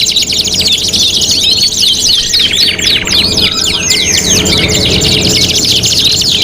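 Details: Canary contest training song, five-in-one material: rapid chattering trills and sharp up-and-down sweeps packed closely together, continuous throughout, with a faint low rumble in the background.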